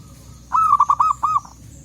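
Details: Local zebra dove calling in the wild forest, birds answering each other: a single quick run of six mellow, ringing notes, the last one softer and trailing off, over faint low background hum.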